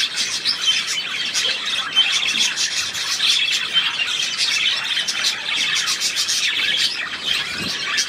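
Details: Continuous budgerigar warbling from 3 April 2017: dense, high, scratchy chirping and trilling with short louder squawks scattered through, never falling silent.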